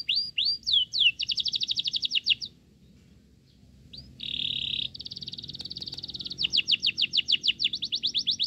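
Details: Cricket-fed Sooty-headed bulbul chick: curved squeals lead into rapid repeated high notes, a quiet gap, a short grating buzz, then long runs of sharp chirps.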